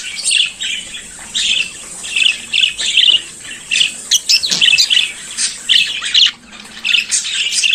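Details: In the morning a budgerigar sings a long, steady chatter of high, harsh, buzzy chirps and clicks, rapidly repeated with little pause, a faint low knock near the middle.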